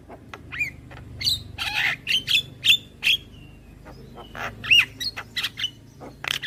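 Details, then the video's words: Javan myna tutor recording for young birds: clicks and harsh squawks mixed with short whistled notes and a curled, looping chirp, given at an uneven pace. "Masteran Burung JAlak Kebo Muda Agar Cepat GAcor Manggut Manggut"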